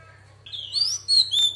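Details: Female Oriental magpie-robin singing in a wild-type voice to stir up males: a brief phrase of clear, sliding whistled notes, rising then held high, over a steady low electrical hum.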